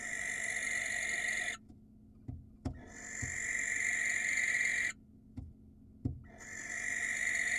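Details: Wild barn owl courting a female, recorded on a stream camera in Israel. Harsh hissing screeches repeat three times, separated by quiet spells with faint knocks.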